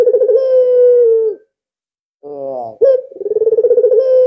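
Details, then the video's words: Albino ringneck dove, kept as a lure because it calls so readily, ends a smooth coo, gives a quick chuckling note, then begins a pulsed rolling coo that evens out. "BURUNG PUTER ALBINO SANGAT GACOR cocok dijadikan pancingan"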